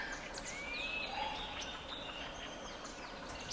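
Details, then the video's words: Several White-crested laughingthrushes in a flock give a rising whistle, then dense overlapping chatter and rapid cackles, with a low hum of background noise throughout. "Flock of White-crested laughing thrushes"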